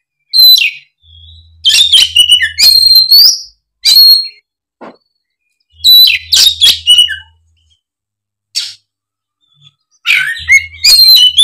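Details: Loud fighting song from an Oriental magpie-robin, sung in bursts of sharp clicks, rich whistles and warbled phrases separated by short pauses, with a faint low hum in the background.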